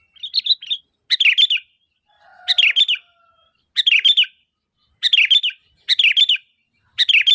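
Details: Rich, bubbling phrases from a sooty-headed bulbul calling to lure other bulbuls, repeated roughly once a second, with a faint lower whistle behind one phrase.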